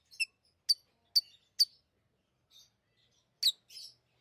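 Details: Pet lovebirds uttering sharp, high, clipped chirps in a quick series of four, then a pause with a faint note, followed by a harsher doubled chirp and a buzzy chatter.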